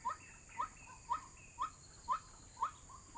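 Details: Lure recording of a white-breasted waterhen for trapping: short, upslurred "kook" notes repeated twice a second, six in a row, clear over a quiet background with a steady high hiss.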